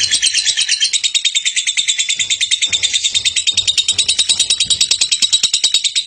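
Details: Female lovebird recorded as a tutor for other birds, giving a rapid, steady chattering trill of high, scratchy notes repeated about three times per second, sustained without pause throughout.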